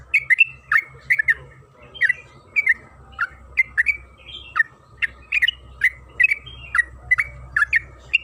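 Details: {'caption': 'Trucukan kebo (yellow-vented bulbul) lure song to encourage singing: bright, bubbling paired chirps repeated rhythmically, about two per second, with a low humming background.'}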